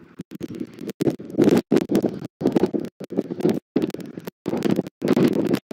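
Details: Gusty wind buffets the microphone on an eagle nest camera in southwest Florida on a January morning, producing loud bursts of low rumbling broken by short silences. No bird calls are heard.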